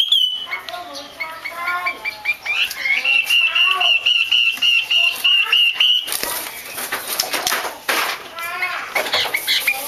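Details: Female Chinese hwamei giving calls that stimulate males to sing. Soft varied slurred notes lead into a long, rapid train of ringing notes on one pitch. Then a burst of loud, noisy, hissing sound masks fainter notes.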